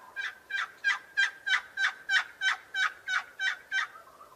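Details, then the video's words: A turkey repeats about a dozen evenly spaced, husky notes, each brief and strong, at a regular beat of roughly three per second with a clean, quiet background. "Turkey sound"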